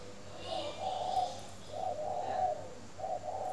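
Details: Morning cooing of a spotted dove from a bird-keeping garden in Ba Vì district, Hanoi, Vietnam: mellow, low, rounded coo notes run together in two-part phrases, with a faint higher chirp behind.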